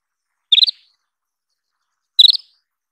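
An Isabelline wheatear gives two brief, bright chirping bursts about a second and a half apart, each a quick run of three or four high notes, against a quiet background.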